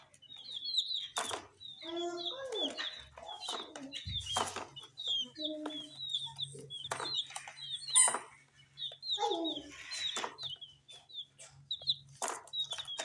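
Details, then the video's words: Coloured chicks eating spicy Sun Poppers snacks, a flock of them giving rapid, high, downslurred peeps that overlap constantly, mixed with sharp clicks and crackles from pecking at food and a faint low hum. "Chicks Chirping"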